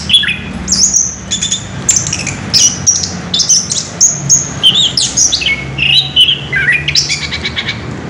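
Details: Anis kembang, the orange-headed thrush, singing ngerol: an unbroken rolling stream of very high piercing whistles, squeaky chips and twittering phrases, repeated about twice a second throughout.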